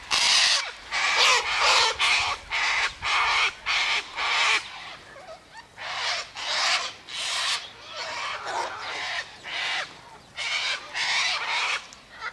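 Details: Sulphur-crested cockatoo (Cacatua galerita) by an eastern gate, feeding on tossed-out sunflower seeds, wheat and birdseed mix, gives harsh, raspy screeches in a ragged series, about two every second, loud and broad-toned, with no other clear sounds.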